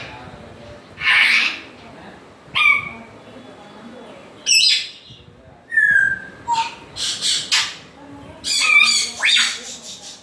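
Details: African grey parrot running through a varied series: rasping squawks mixed with clear, sliding whistles, some falling, some rising, about a dozen sounds in ten seconds with short pauses.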